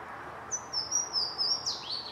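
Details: Louisiana waterthrush at Lake Conestee, Greenville, South Carolina, USA, on April 10, 2016: a thin, very high whistled note held about a second, then a sharp drop into a lower slurred note.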